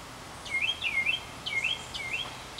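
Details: Northern mockingbird on a long porch singing cycle: loud, clear swooping whistled phrases, rising then falling, repeated three times in quick succession, in a quiet outdoor setting.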